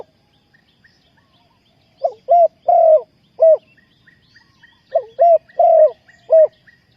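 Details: Spotted dove used to lure wild doves for trapping. It gives two four-note cooing phrases with a longer falling middle coo, over a steady series of faint, high, regular chips from another bird.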